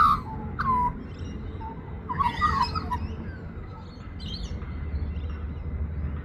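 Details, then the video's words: A young Australian magpie sings: a few fluting, down-slurred notes, then a brief burst of mellow warbling, over a steady low rumble. "A young Magpie singing"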